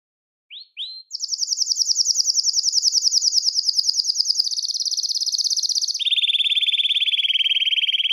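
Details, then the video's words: Belgian canary song meant to attract and call canaries: two upslurred notes, then a long fast high trill that steps down in pitch twice, steady and clean throughout. "CANTO PARA ATRAIR E CHAMAR O CANÁRIO BELGA"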